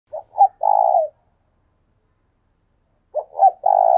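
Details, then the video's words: Spotted dove decoy bird calling: two short, hollow coos followed by a long, burry, vibrating coo. The phrase repeats about three seconds later against a silent background. "Chim cu mồi thúc sung"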